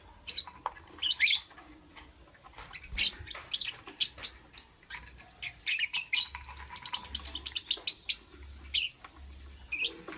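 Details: Lovebird in the morning giving rapid, shrill high chirps and squeaky bursts in irregular clusters, some closely packed runs, with quiet gaps between volleys and faint low background hum.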